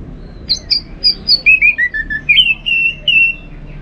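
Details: Orange-headed thrush (anis merah) from Singaraja, North Bali, kept bird whose song is played to stir others to sing in the morning; a fast varied series of high whistles stepping downward, then steady sweet whistled notes.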